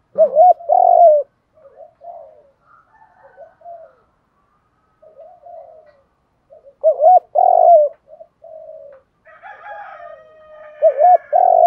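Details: Spotted dove coos of male and female birds, used to train and excite decoy doves; repeated low hoarse cooing phrases in three bursts separated by soft quieter murmurs, with faint higher chatter near the end.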